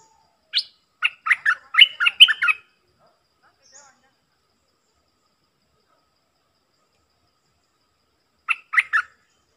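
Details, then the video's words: Stripe-throated bulbul used as a decoy: a lively phrase of about ten quick chattering, bubbling notes. A long silence follows, then a shorter burst of four similar notes. "เสียงต่อนกดอกแตงEp.99 เปิดดอกเน้นๆ"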